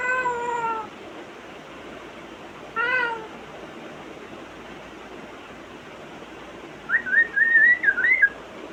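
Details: Mimicry from a pet African grey parrot: two harmonic, meow-like calls a couple of seconds apart, then a quick wavering series of whistled notes.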